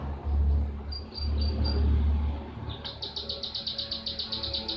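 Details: Lure recording of a blue-tailed bee-eater. A few faint high notes are heard first, then a fast, regular run of sharp chirps about four per second. A continuous deep hum runs underneath.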